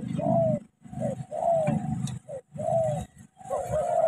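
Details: Spotted dove from Cà Mau, a decoy bird engaged with a wild one, cooing in rhythmic low hollow phrases over a rumbling low background noise, the coos slightly rising then falling.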